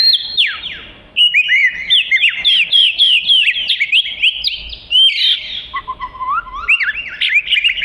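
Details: Oriental magpie-robin (kacer) singing energetically as tutor material: a fast string of short whistles slurred up and down, densely repeated, with a lower, rising series of notes near the end.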